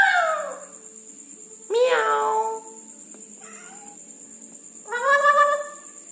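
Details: Red-breasted parakeet calling at night: three harsh, harmonic calls that sweep downward, about two seconds apart, over a faint steady high electronic whine.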